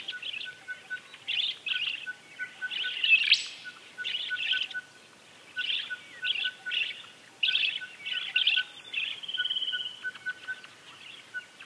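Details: Caatinga Parakeet (Eupsittula cactorum) from Brazil's Caatinga biome, giving a steady run of buzzy, chattering squawks repeated roughly every half second, over a faint, thin, continuous high tone in the background.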